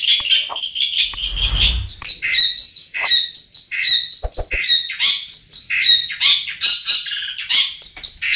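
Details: Long-tailed shrike lure track for prompting quiet birds to sing: a lively, varied medley of whistles, squeaks and buzzy notes that shift pitch constantly, with a brief low rumble near the start.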